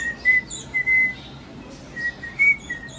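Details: Caged pet cockatiel practising a taught tune: a few clean whistled notes, two held longer, then short slightly rising ones after a pause, with faint higher chirping in the background.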